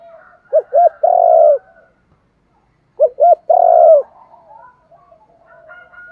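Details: Spotted dove kept as a decoy to attract and train others coos twice. Each phrase is a pair of short clipped notes, then a long vibrating coo. Soft background chirping is present between phrases.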